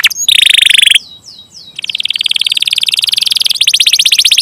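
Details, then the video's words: Singing canary delivering rapid high rolls: a dense buzzy trill, a few separate swooping notes, then long fast rattling rolls that quicken toward the end. "KENARI KOLABORASI GACOR NGEROLL PANJANG"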